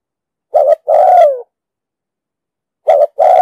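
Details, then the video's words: A spotted dove with a 'đồng sấm' voice, recorded for luring birds to traps: one full phrase of a short doubled note and a long, downward-sliding coo, then the start of a second phrase. "Tiếng chim cu gáy giọng đồng sấm,thúc gù bài bản,đi bẫy, tập bổi,kích mồi,dụ bổi cực sát"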